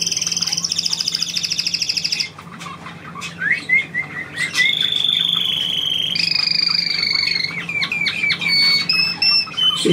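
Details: Trilling on command, a pet bird delivers a fast high trill, breaks off, adds a string of short rising whistles, then launches into long sustained rattling trills that step down in pitch.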